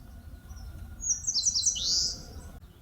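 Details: A single eastern crowned warbler phrase from forest near Palbongsan, Seosan, Korea: thin high notes repeated rapidly before a strong buzzy slur sweeping downward, over soft low rumble.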